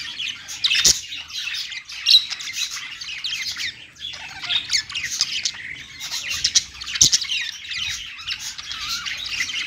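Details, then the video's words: Several budgerigars warbling on a perch, a busy mix of buzzy chatter and quick squeaky notes in bursts, with a couple of sharp clicks. "budgies singing on perch"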